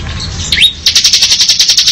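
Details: Bar-winged prinia in ngebren style: a quick upward-sliding whistle, then a fast rattle of high, sharp pulses.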